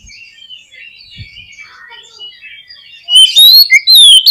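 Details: Oriental magpie-robin (kacer) song used to stir a pet bird to sing: faint scratchy chatter at first, then a sudden burst of loud, pure whistles with swooping notes in the final second.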